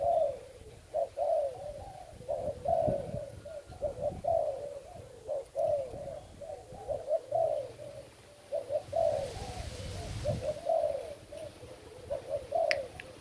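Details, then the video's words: Spotted dove kept as a decoy bird, Thai stock, recorded 8 August 2018: a long run of mellow, slightly falling coos repeated in regular phrases about every second, with brief rustling and a low background rumble. "Cu gáy mồi trần thailand"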